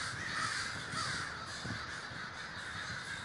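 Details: Crowd of crows at a communal gathering in Davis, California; loud, coarse caws overlap densely, single calls briefly standing out above the constant chatter.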